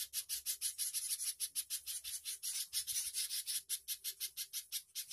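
A spiderhunter gives a harsh, rasping chatter of high, buzzy notes at about four per second, steady and unbroken throughout.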